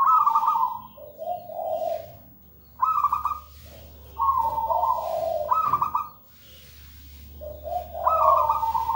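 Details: Local zebra dove in lively song: repeated trilled coo phrases, each stepping from a higher rolling note down to lower purring notes, separated by short pauses over steady low hum.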